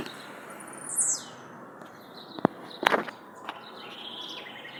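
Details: Released into the wild, a blue-black grassquit utters one short high, sliding buzzy note that falls quickly in pitch. Several sharp clicks and rustling knocks follow, and a faint thin whistle sounds near the end.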